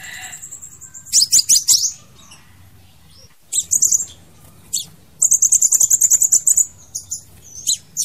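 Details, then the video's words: Crimson sunbird song, used to lure or trap birds: very high thin chittering bursts and sharp trills near the top of the range, in three main phrases with pauses, the last a rapid run of about fifteen notes. "TIẾNG CHIM HÚT MẬT XÁC PHÁO HÓT .MP3 | Aethopyga siparaja bird song"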